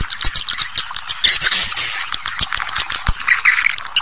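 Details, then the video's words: Swiftlet calling sound used by swiftlet farmers to attract birds, an original version from earlier years. Continuous fast chattering twitters and scratchy clicks form a dense, busy stream, with a sharp high squeal in the middle. "SUARA PANGGIL WALET ANDALAN JAMAN DULU"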